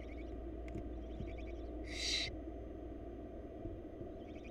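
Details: Single broad hissing screech lasting about half a second from wild barn owl chicks fed by their mother in a Florida nest box, with faint soft chittering and low hum around it.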